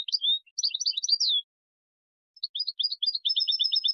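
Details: Goldfinch singing, an example for training young birds: a quick tumble of twittering, slurred high notes, a pause of about a second, then a fast series of clipped, liquid chirps rising in pace; no other sounds.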